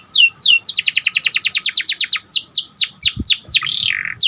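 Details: Singing panda canary, gacor style, pouring out quick descending whistled notes in a rapid run, followed by slower swooping slurs and a warbled rolling phrase, with a faint knock in the background.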